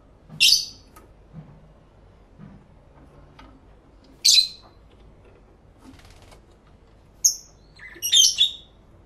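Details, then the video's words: Lovebirds calling to one another, stereo recording made with twin external microphones; sharp, high-pitched single chirps spaced a few seconds apart, ending in a quick run of three or four squeaky notes. "Lovebird Sounds"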